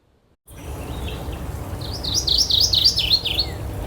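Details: Mourning Warbler hidden in dense shrubbery on a bright sunny midsummer 2024 day at Horn Pond Recreation Area, eastern Massachusetts, sings a quick run of about eight slurred, rolling high notes over roughly two seconds against a steady low rumble.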